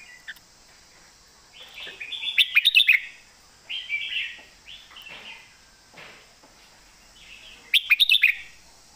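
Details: Red-whiskered bulbul delivering a loud southern master song: rich warbling phrases with rapid clicking notes, then softer slurred whistles and a final crisp, clicking flourish, with little else audible.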